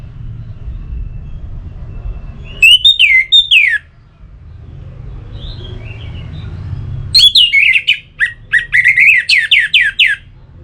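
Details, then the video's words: Orange-headed thrush singing, used to stimulate other birds to sing: a brief phrase of slurred descending whistles, a quiet gap with soft notes, then a longer fast series of sharp, sweeping chirps over a low background rumble. "Suara Ini Bisa Membangkitkan Burung ANIS MERAH agar Jadi Gacor"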